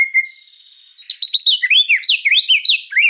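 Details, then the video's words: White-rumped shama in lively gacor song opens with a thin, steady whistle, then breaks into a quick, varied string of rich, looping whistled notes that jump up and down in pitch. "Suara kicau burung murai batu gacor"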